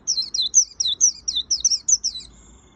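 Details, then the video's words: White-eye "gacor full isian" song: a steady series of about ten high, sweet notes, each slurring downward, delivered roughly four per second. The series ends with a faint, drawn-out high whistle. "Suara Burung Pleci Gacor Full Isian - Tiếng chim vành khuyên líu"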